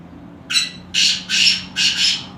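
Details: Black francolin giving a harsh rasping call of four broad, noisy notes, the first brief and the rest drawn out, over a faint low hum.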